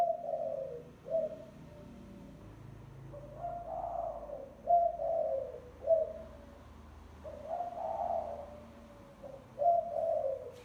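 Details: Spotted dove used as a lure, cooing repeatedly: a series of low, hollow phrases, each a soft opening note then a rolling, slightly rising coo and a short end note. The phrases come in irregular succession over ten seconds, with low room hum behind them.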